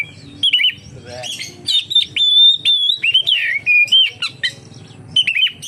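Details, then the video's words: Oriental magpie-robin song for luring other magpie-robins to sing: long steady whistles alternating with quick chattering notes and dipping slurs, separated by brief pauses, with a low hum underneath. "suara burung kacer untuk penarik / pancingan kacer gacor santai"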